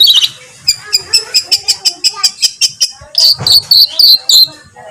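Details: Songbird master recording for training competition birds, with rough 'shot' fill phrases: a burst of sharp high notes, then a fast run of evenly spaced clicking chips, ending in loud, ringing, slurred whistles.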